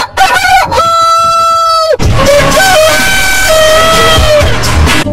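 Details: Crowing rooster with a level, sustained crow of over a second, then a longer rough crow that slowly falls in pitch, over a steady low rumble in the background.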